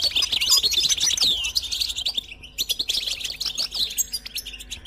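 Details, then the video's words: Goldfinch song used to stimulate pet songbirds: dense, fast twittering with a sweeping whistled note near the start, continuing in quick repeated chirps over a steady low hum. "Motivational tones must be available on your phone for your goldfinch to sing"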